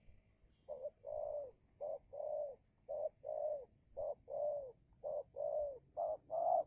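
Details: Spotted dove (tekukur) decoy from Indonesia, in a heated contest with a wild rival during luring; low soft coos in pairs, a brief note followed by a drawn-out rolling one, repeated about once per second.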